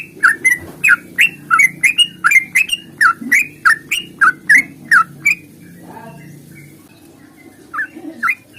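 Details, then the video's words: Yellow-vented bulbul giving a fighting-style long rapid song meant to stimulate other birds: a dense burst of around twenty sharp chirps in five seconds, then a quiet gap and a few fainter notes, low hum underneath. "trucukan GACOR tarung ropel panjang ini AMPUH bikin trucuk gacor bunyi NYAUT"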